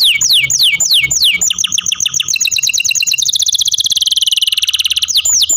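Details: Captive canary pouring out falling whistled notes that merge into a rapid, accelerating rolling trill, ending with a few slurred sweeps.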